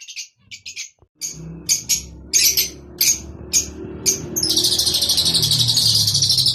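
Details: Rosy-faced and Fischer's lovebirds giving mating calls used to stimulate breeding: scattered shrill, high chirps in short bursts, then a dense continuous chatter of high twittering from many birds, with a low background hum.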